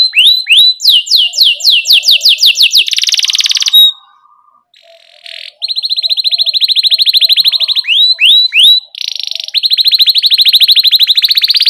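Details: Canary in full song, meant as tutor for young canaries just learning: bright descending whistled notes in quick series, a harsh buzzy burst, a short pause, then a long even rolling trill and more swept chirps.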